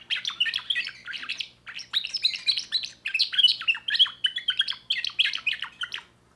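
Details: Young 2024 timbrado canary singing clustered runs of rapid chirping notes. The runs are split by short gaps, and the song ends in quiet.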